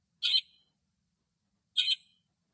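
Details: Lesser grey shrike (Lanius minor) singing in Greek nature: two short, harsh, chattering phrases about one and a half seconds apart, bright and scratchy, in an otherwise quiet setting.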